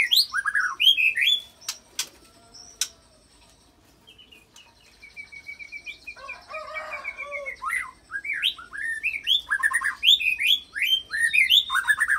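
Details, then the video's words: White-rumped shama song with mimicked cililin and canary phrases, played to provoke other fighter shamas into singing: loud whistled and rattling bursts, a quiet gap around four seconds, then rapid repeated chirping notes. "Langsung Emosi Bongkar Isian Murai Isian Cililin Sambung Kenari Ngerol Panjang"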